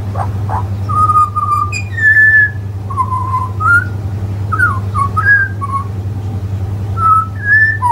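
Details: Butcherbird singing in a garden beside a man tending shallots, a bird that visits the windowsill daily and sometimes whinges, sometimes sings. Clear fluted whistles at varied pitches, held notes and short slurred phrases, over a steady low hum.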